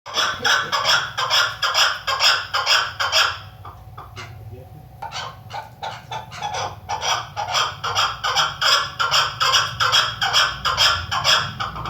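A female chukar gives harsh, clucking chuck notes about twice a second in steady runs, with a brief pause midway and a faint low hum behind.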